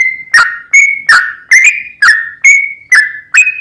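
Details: Sooty-headed bulbul in agitated long rapid song used to provoke a bird into singing: eight ringing whistled notes, each with a clicky onset and a short downward slide, spaced about half a second apart.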